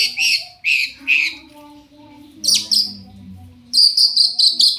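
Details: Long-tailed Shrike singing actively as bait for other shrikes: rich double-toned chirps, a sharp downslurred squeal, then a rapid stuttering series of high ringing notes.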